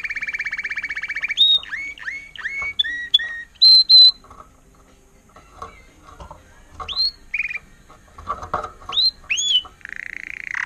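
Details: Trained Timbrado canary, intense yellow agate topaz, recorded 2018: steady rolling trill, then falling and rising whistled notes and a long pure whistle, a quiet gap with faint clatter, more upward whistles and a closing low trill.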